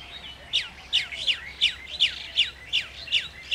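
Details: Chestnut-tailed starling giving a series of sharp, high, steeply falling chirps, about nine in under four seconds at a quick, fairly steady pace, with a quiet background.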